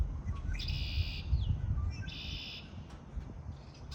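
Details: Birds singing in spring: two long, dense, buzzy trilled phrases, each about half a second, high-pitched and separated by a pause of roughly a second, over a steady low rumble.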